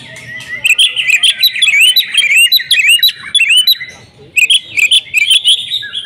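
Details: Oriental magpie-robin in agitated fighting song, loud and insistent: dense run of quick rising and falling whistled notes and sharp chips, a brief pause, then another fast burst.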